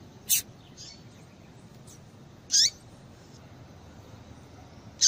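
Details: Female yellow-bellied seedeater calling to stimulate males: short, high, sharp call notes with a faint falling tail, roughly two seconds apart, plus a softer buzzy note between them over a steady low hiss.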